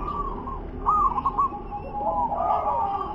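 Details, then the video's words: Local zebra dove in wer-ke-te-pek style, uttering a clear rolling coo followed by a longer, softer warbled phrase, with continuous low background noise. "suara perkutut lokal WER-KE-TE-PEK UNIK LANGKAH&JAGONYA GACOR DOR"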